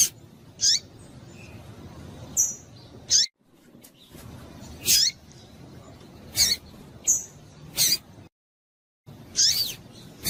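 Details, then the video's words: Female Yellow-bellied seedeater calls used to excite a male. Brief, bright chip notes about one to two seconds apart, with a few thin whistled touches, separated by short silent breaks. "Piado de Fêmea de Papa capim para Esquentar Papacapim"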